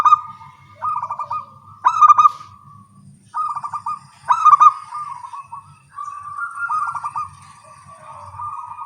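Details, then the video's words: Local zebra doves with small voices singing actively in the morning and answering each other: bursts of soft trilled, bubbling coos with a few sharper accented notes, roughly two dozen phrases a minute, and a faint low hum underneath. "Perkutut lokal suara kecil gacor pagi hari bersahutan"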